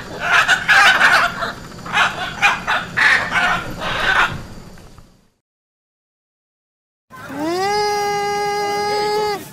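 Harsh, raucous macaw squawks come in rapid bursts for several seconds, then a pause, then a long, steady, tonal cry from a different sound.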